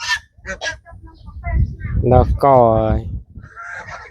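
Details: A village-farm goose in Cambodia, at feeding time, gives one drawn-out, strongly harmonic nasal honk amid quieter clucks, rustling and low background murmuring.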